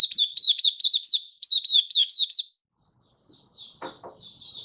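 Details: Malaysian white-eye (mata puteh), a hobby songbird in Singapore, in happy open song on a warm, sunny 20 March 2023; a rapid string of about ten high, wavering whistles, a brief silence, then softer twitters.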